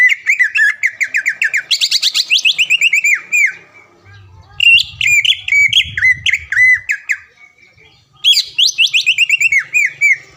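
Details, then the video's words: Caged greater green leafbird, often a contest champion near Palembang, Indonesia, sings fast, dense and sharp: long rapid trains of whistled chips, rising looped whistles, and another quick chattering series, with a faint low murmur in the middle. "MASTERAN CUCAK IJO GACOR SPEK JUARA DENGAN ISIAN ISTIMEWAH NEMBAK PEDAS DAN RAPAT"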